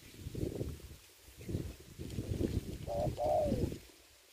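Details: Spotted dove kept as a ground decoy for trapping in Vietnam during the Covid season: two clear coos near the end, the second longer and sliding down, after low rustling and handling noise.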